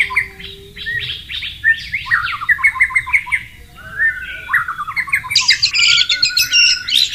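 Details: Wild white-rumped shama near running water, a low steady tone at first, then rapid chattering whistled series, a descending slurred phrase and a final burst of harsh, buzzy high notes.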